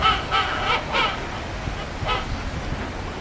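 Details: King penguin at an aquarium in Japan, adult and chick calls compared: loud, honking, harmonic bursts, several in quick succession in the first second, then another blast after a pause, over low background hum.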